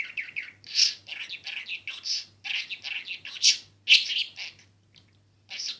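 A budgerigar chatters in a rapid stream of high, scratchy warbles and sharp chirps.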